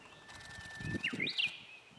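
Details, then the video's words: Song of a Japanese bush warbler: a held, even whistle that breaks into a fast, twisting, rising and falling phrase, with low thumps underneath. "ウグイス サエズリ"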